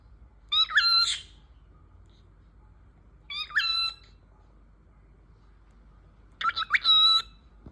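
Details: Pet talking parrot produces three separate rasping, harmonic utterances, each around half a second long and spaced a few seconds apart, sounding like strained word-like squawks against a quiet indoor background.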